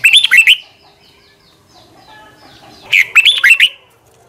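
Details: Morning training song in 2020 from a red-whiskered bulbul in the double, long-twisting style. Two lively phrases of quick, arched, slurred whistles are heard about two and a half seconds apart, with quiet between them.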